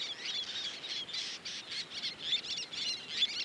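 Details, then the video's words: Adult Least terns defending territory at a beach colony with chicks and juveniles, giving rapid harsh high calls that pulse about every quarter second in a steady stream. "Hectic Life in the Least Tern Colony - Baby, Juveniles, and Adults"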